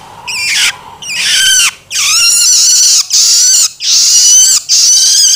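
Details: A young Long-tailed Shrike, recorded for use as a lure, gives harsh, rasping, drawn-out begging calls, repeated about once a second.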